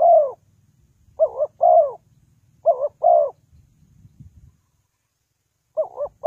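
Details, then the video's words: Spotted dove calling as a lure in trapping. Soft coo phrases, a brisk double note then a sustained falling coo, come three times, then a pause with faint rustling, then another phrase begins. "The Sound Of Spotted Dove is very good,Bẫy cu gáy bằng mồi trồn"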